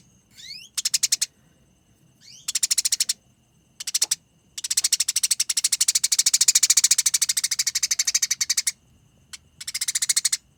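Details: Rolling nyerecet fighting chatter from a Eurasian tree sparrow, konslet style for training birds: quick upward-swept squeaks and short harsh bursts give way to one sustained four-second run of fast, dense, grating pulses.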